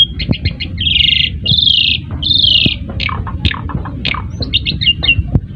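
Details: Asian pied starling singing as a lure to prompt other birds to answer: short chips lead into long harsh buzzy notes, then scattered squeaks and clicks over a low rumbling background.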